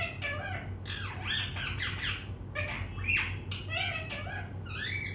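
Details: A talking pet parrot in a small room pours out rapid, grating syllables and squawks, with sharp rising and falling notes crowded together almost without pause, above a constant low electrical hum.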